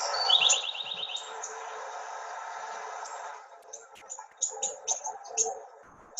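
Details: House wren from Arizona singing, presented as an example of differing regional dialects: a fast, high trill of repeated notes, then a run of separate sharp high chips, over a steady room hiss.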